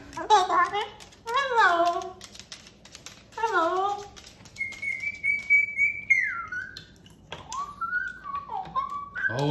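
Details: Pet cockatoo laughing and chattering with its owner indoors: harsh repeated squawks with stacked harmonics, then a long sustained whistle sliding downward and several shorter whistled notes, with the owner's voice nearby.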